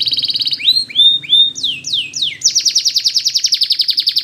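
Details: Spanish Timbrado canary song used for training, possibly a male: a fast metallic trill, then a few swooping whistled slides, then a rapid bell-like rattling trill repeated about three times a second. Finding: Belgian canary.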